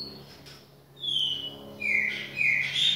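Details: Chopi blackbird in a kitchen giving a few loud, drawn-out whistles, one level and the others slightly falling, over a hissy background and a low hum.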